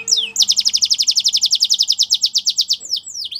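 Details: A canary gives a single rhythmic trill of about twenty-five evenly spaced high notes, bracketed by sweeping slurred whistles at the start and end.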